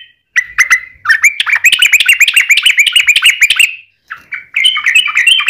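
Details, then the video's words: Sooty-headed bulbul song used as a lure to make other bulbuls sing; long, lively runs of bubbling, chattering notes repeated rapidly, with a brief pause before another burst. "trucukan gacor ROPEL PANJANG buat pancingan trucukan agar bunyi"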